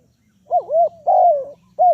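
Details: Spotted dove used as a lure for trapping, giving a short stretch of low, mellow cooing, a few hollow notes that rise and fall, against quiet background with a faint low hum.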